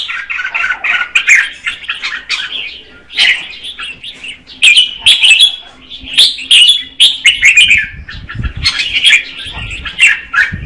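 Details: Red-whiskered bulbul female sings to rouse a male, pouring out rapid, rich chirping and warbling phrases in loud repeated bursts separated by short gaps, with a few faint low knocks late on.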